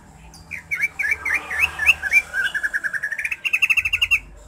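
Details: Greater green leafbird singing, used as a stimulus to bring a caged bird into breeding mood before a contest; varied chirpy whistled phrases open, then a rapid run of short, evenly spaced notes that rises slightly toward the end.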